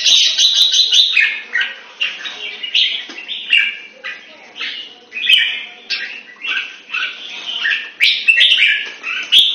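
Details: Caged red-whiskered bulbul in Singapore during song training delivers a steady stream of loud bubbly whistled phrases, closely spaced with brief gaps; occasional sharp clicks and a faint steady hum behind.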